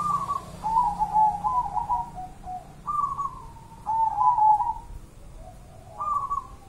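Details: Wild local zebra dove from Java cooing: soft mid-pitched trilled coos, some rising and wavering, in broken phrases every second or so, over steady low background rumble and hiss.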